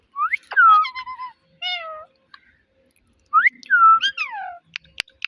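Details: Captive talking parrot imitating words and a cat's meow: two bursts of sliding, descending whistled notes with rich overtones, split by a short harmonic syllable and a pause, ending with sharp clicks.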